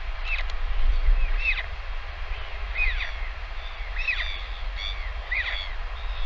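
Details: Northern royal albatross chick begging as a parent comes back to feed it lunch, filmed by a live nest cam: a run of about ten thin, arched squeaks in irregular pairs and groups against a wind-buffeted background.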